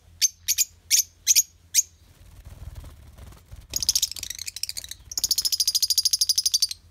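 Lovebird giving five sharp, high shrieks, then bursts of harsh chatter and a fast run of rapid squeaky chirps; faint low hum underneath.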